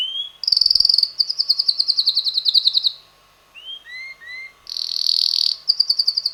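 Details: Young red male canary that sings nearly all day; a bright rapid trill of repeated high notes, a few slurred rising whistles, then a harsh high buzzy burst and more trilling.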